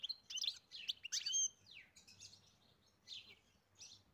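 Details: European goldfinch song on a farm: bright, rapid twittering and a downward-sliding whistled note, then scattered softer chirps after a pause, over a faint low rumble.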